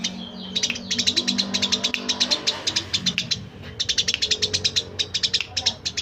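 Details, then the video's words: Eurasian tree sparrow giving rapid, bright chirps in quick runs of several per second, with a brief pause midway and a faint low murmur underneath. "burung greja cocok buat masteran murai..cucak ijo"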